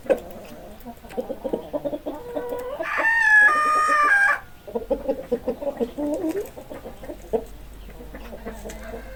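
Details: Chickens clucking in short, broken notes, then a loud, drawn-out rooster crow with strong harmonics in the middle, followed by more scattered clucks and murmuring calls.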